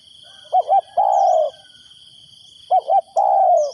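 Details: Decoy spotted dove cooing to call in wild doves: two phrases, each a quick pair of short hollow notes followed by a longer, slightly falling coo, over a steady high insect whine.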